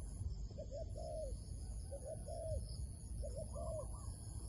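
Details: Wild dove lured toward a trap: clear, soft cooing in paired phrases, a short note followed by a longer drawn-out coo, repeated three times, over a steady insect hum and low rumble.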